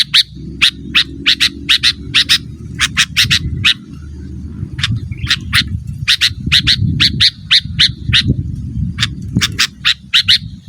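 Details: Sooty-headed bulbul calling to challenge rivals, for luring wild birds or tutoring cage birds: a long run of harsh, scratchy notes, often paired, repeated several times a second over a steady low rumbling background.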